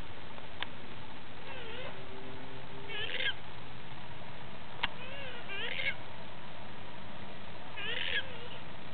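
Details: A wild pukeko roaming free at a New Zealand eco-sanctuary gives harsh, nasal squawks in short bursts about every two seconds over a steady low rumble, with a couple of sharp knocks.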